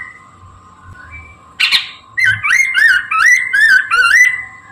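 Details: Chinese hwamei song recorded in the morning for luring birds: a harsh rasping note, then a rapid series of loud, clear whistles that rise and fall, over a continuous low hum.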